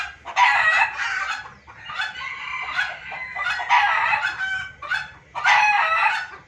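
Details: Noisy junglefowl calling for luring: five loud, rough, broad bursts of crowing-like calls, each lasting around a second, separated by short gaps, with clucking between.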